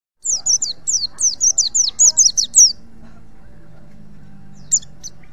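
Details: Wild white-eye (pleci) from Pacitan, recorded as a tutor song for other birds: a fast run of about a dozen very high, thin, sliding chirps, then quiet, then two brief notes near the end.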